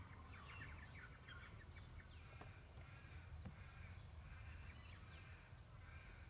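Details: White-winged chough in Victoria, Australia, May 2010: harsh, grating rasping calls in short ragged bursts, with a few sharp downward notes, over steady low rumbling background noise.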